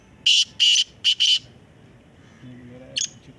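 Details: Black francolin calling in a competition: four loud rasping notes in a quick rhythmic phrase, then a faint low hum and one brief distant note.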